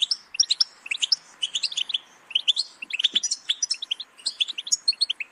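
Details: Kept European goldfinch delivering a fast, liquid twittering song of bright high notes and buzzy flourishes, strung in continuous runs with brief gaps.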